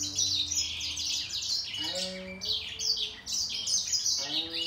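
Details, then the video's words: A grey singer finch and a green singer in a singing contest pour out fast, high, twittering song in long unbroken runs, overlapping each other, while a faint low voice hums underneath. "Gery singer finch VS Green singer singing fight 灰燕和金青斗唱"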